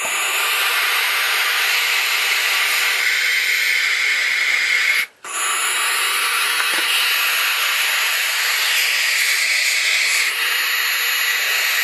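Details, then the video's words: Barn owl (Tyto alba) chicks, three hatched from five eggs, calling at a nest the adult female reused from last year and now leaves them alone at: a steady, harsh, breathy hiss, unbroken except for one brief pause. "Filhotes de Suindara vocalizando."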